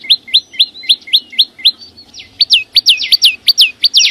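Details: Flowerpecker singing in nature, with no background noise. Quick high upslurred chirps run evenly at first, then after a brief pause give way to louder, ringing downslurred notes at a faster, less regular pace.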